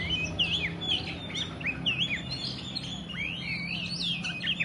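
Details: Kacer (oriental magpie-robin) song in the 'telerrr konslet' style: clear, sweet whistled phrases that swoop up and down, repeated with brief gaps, mixed with quicker chirps. A steady low background hum is present.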